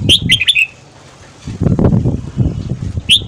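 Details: Morning red-whiskered bulbul song for voice training and stimulating freshly caught birds; one quick three-note whistled phrase opens, followed by rustling and thumping noises, then the start of another note.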